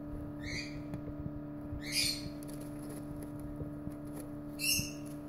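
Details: Lovebird chicks in a brooder give three brief, harsh, raspy squawks about two seconds apart over a steady low electrical hum.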